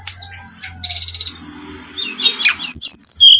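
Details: Lure song of the brown-chested jungle flycatcher, used to rouse birds to fight: quick high whistled slurs and buzzy trills, then dense sharp chirps and descending clear whistles, over a low steady hum.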